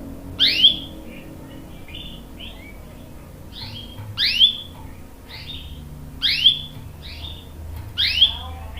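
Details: Canary in vigorous song, a rolling performance that sets a young male answering: sharp upswept chirps with a bright twisted peak, given in short clusters about every two seconds, separated by softer whistled notes, over a faint low hum.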